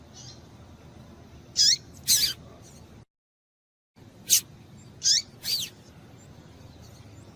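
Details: Female double-collared seedeater (coleiro) calling, a call meant to stimulate males to sing; short, high, thin chirps come in pairs a few seconds apart over a low steady background hiss, with a brief silent gap.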